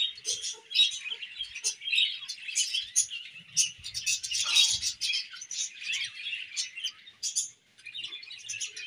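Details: Colony of budgies twittering, quick sharp chirps and warbles overlapping, with a short quiet gap near the end.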